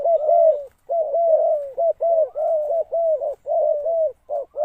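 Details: Decoy spotted dove calling to lure wild doves. Loud, clear cooing phrases of short rounded mellow notes, repeated in quick runs almost without pause, with no other sounds.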